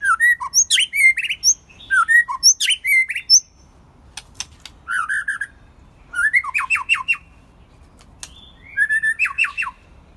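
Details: White-rumped shama, a favoured first-molt bird, singing on a quiet evening: bursts of bright whistled notes and sweeping rising phrases with sharp high chips, delivered in four clusters separated by short pauses, with a few isolated clicks between.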